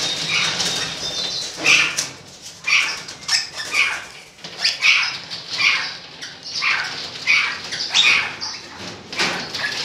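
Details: Golden-mantled rosella, 2013: a series of short, piercing chattering calls with a bright whistled core, repeated roughly every half to one second, over steady rustling and clattering background noise.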